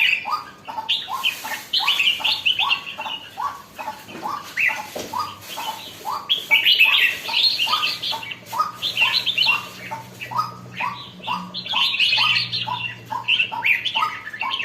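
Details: Red-whiskered bulbul getting lively, singing a long sequence of quick phrases: rising low notes almost every half second topped by brighter warbling, with a faint low hum in the background.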